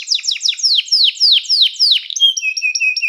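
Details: Canary singing to prompt other canaries and serve as a training model: a run of quick, steeply falling whistled sweeps, then short flat piping notes repeated about five times.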